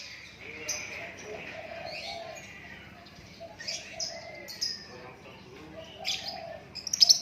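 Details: White-rumped shama, described as a Lakbet bird, in natural song: varied high whistled and chattering phrases coming in separate bursts, with quieter gaps between them and a sharper flourish at the end.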